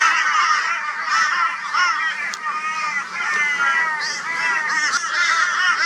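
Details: Crows gang up on a barn owl in Brisbane, Australia, 22 February 2022. A steady wall of harsh, drawn-out, wavering calls comes from many birds calling together, with no quiet gaps.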